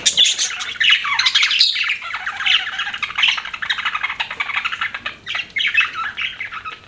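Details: Pet budgerigars chirping: dense, busy chatter of warbled chirps and scratchy squawks, continuous over several seconds with brief lulls, several birds overlapping.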